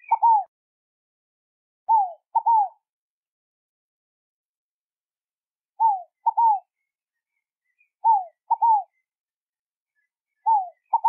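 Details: Scaled dove singing a clean, mellow phrase: a descending cooing note followed by a short clipped note and a longer down-slurred coo, repeated about every two seconds, five phrases against a silent background.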